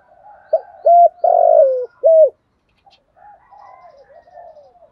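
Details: Cooing spotted dove in 'thúc gù' style with a 'thổ sấm' voice: a short note, a steady coo, a long buzzy falling coo and a final steady coo. Weaker wavering coos trail off afterwards.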